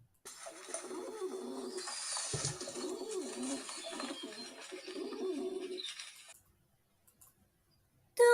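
Pigeon cooing in low, throaty, rolling phrases for about six seconds, over a steady hiss of room noise.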